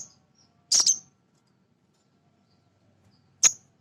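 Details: Nectar-feeding male sunbird (sogon) played to stir other birds into singing: a brief doubled high chirp, a pause of over two seconds, then one more sharp chirp.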